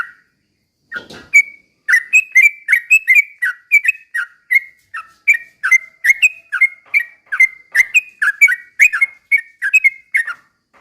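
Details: Yellow-vented bulbul delivering a steady stream of short whistled phrases, dipping and rising, about two per second after a brief rustle at the start; meant to goad other bulbuls into energetic singing.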